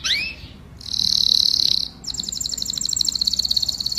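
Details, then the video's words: Canary song used to call the flock, opening with a rising whistled sweep, then a loud dense buzzy tour held about a second, followed by a quick evenly pulsed high trill. "Tiếng chim Hoàng Yến hót gọi đàn"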